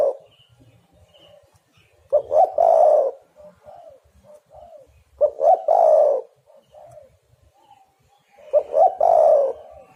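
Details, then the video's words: Spotted dove lure call for trapping birds: loud three-part phrases ending in a long rough coo, spaced about three seconds apart, with soft faint coos and a brief high chirp in between. "derkuku super gacor pikat dapat burung bagus"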